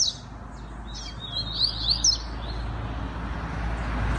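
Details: One brief phrase from a captive double-collared seedeater raised for song contests: a quick slurred buzzy trill in the middle, over steady low background hum.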